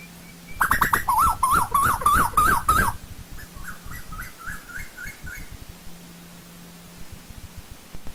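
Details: Asian koel in old-growth forest giving a loud series of wavering whistled notes, followed by a softer, more distant run of six rising notes.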